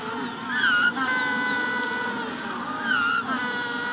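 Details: Penguin colony of Magellanic penguins at hatching time: two wavering, nasal harmonic calls stand out over a steady chorus, and a rufous-collared sparrow adds thin downslurred whistles.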